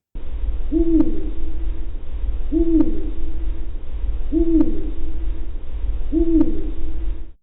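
Eurasian Eagle-Owl giving deep, booming two-part hoots, one about every two seconds, over a low steady rumble.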